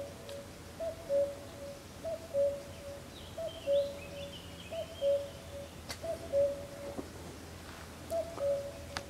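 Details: Unseen Common Cuckoo heard near the San Antolín pond, Goikomendi, Zamudio, 7 May 2020, where common frogs also occur; it repeats a low, falling two-note 'cu-coo' steadily, roughly once a second. Common cuckoo.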